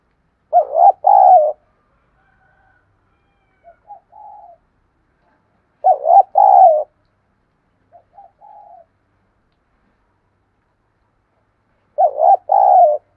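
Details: Provoking, fight-stirring spotted dove song used to draw wild and decoy doves into replying: loud two-part coo phrases repeated about every five and a half seconds, with fainter short coos between them, in otherwise quiet surroundings.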